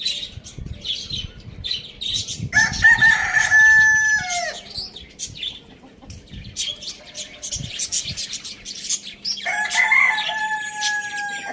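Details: Two long crows from a rooster in a farm village, about six seconds apart, each held steady then sliding lower at the end, with small birds chirping between them.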